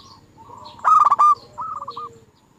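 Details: Zebra dove song played as a lure to make other doves sing: a loud stuttering burst of rough, harmonic-rich coos, then a softer rolling phrase of short coos falling away at the end.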